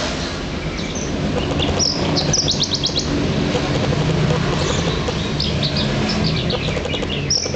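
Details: A local East Javan Horsfield's bush lark sings quick, high chirps and trills over a steady low rumble.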